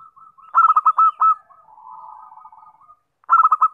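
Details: Zebra dove lure call used for trapping birds: a rapid, rolling burst of mid-pitched pulsed coos, then a soft, lower trilling murmur, and the clipped, stuttering coo phrase starts again near the end.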